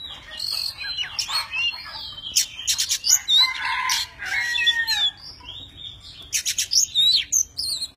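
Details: Singing tame Oriental magpie-robin displaying with spread wings and tail; varied song mixing clear whistled slurs, harsh rasping bursts and sharp repeated clicks, loud and lively, phrases separated by brief pauses.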